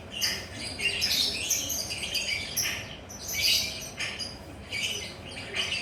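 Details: Relaxed perched lovebird in lively chattering voice: bursts of harsh, high squeaky chirps in irregular clusters with brief lulls, steady low hum behind.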